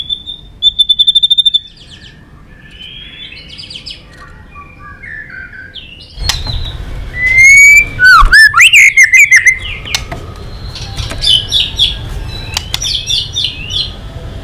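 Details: White-rumped shama fighting song: a high trilled note, softer scattered phrases, then loud sharp snaps and twisting whistles followed by a busy stream of high chirpy notes over background hum.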